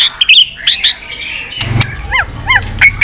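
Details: White-rumped shama in continuous 'tạch' calling, used to rouse caged birds: bright whistled notes and short upslurs over a low rumbling background, ending in paired arching whistles.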